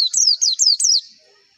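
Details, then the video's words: White-eye song used as a lure to prompt birds to open their beaks and sing, for competition birds: four high, descending whistled phrases in quick succession, each slurring downward, fading out after about one second. "PANCINGAN PLECI AGAR CEPET BUKA PARUH"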